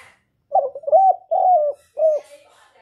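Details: Spotted dove in the 'hạp Bổi' song style, played to lure doves when trapping: a single phrase of four hollow coos, the two middle ones long and level, the last short and falling, with faint background hiss.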